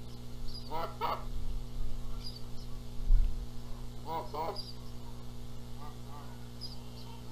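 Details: Canada goose nest in Charlo, Montana, April 14, 2022, during a dispute over the eggs; paired honks at the start and middle, softer notes later, faint high bird calls and a thump near the middle.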